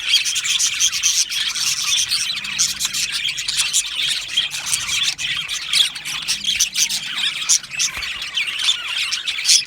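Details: Budgerigar colony in an aviary, nonstop high chatter of chirps, squeals and squawks from many birds, with clicking taps and a faint low hum underneath.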